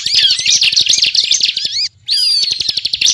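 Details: Short burst of ciblek gacor ngebren song, a trapping lure: fast high twittering and swooping whistles, cut by a clear silent gap near two seconds before resuming.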